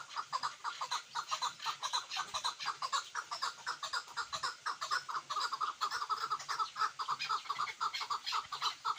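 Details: Chukar partridge, called a hunting partridge: rapid, rhythmic chucking notes repeated about twice a second, mid-pitched with bright overtones, continuing steadily through the whole stretch.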